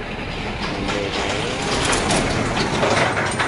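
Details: Steady loud rumbling and clattering, like a passing train, fills the recording with broadband noise and no clear animal voice.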